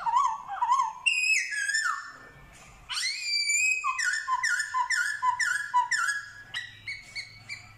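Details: Black-throated laughingthrush (Garrulax chinensis), a kept songbird trained in forest song and mimicry, gives loud, rich whistles: slurred rising and falling phrases, then a quick run of about eight repeated ringing notes over a faint low hum.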